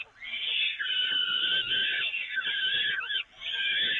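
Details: During a feeding on the nest grating at the Evoluon, peregrine falcons give a loud, sustained, strained screech for about three seconds, then a short pause and a fresh harsh call.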